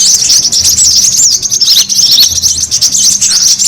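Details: Busy brown-throated sunbird lure sound: thin, high, wiry twitters flow in a dense, steady ribbon of squeaks, with a soft low hum in the background.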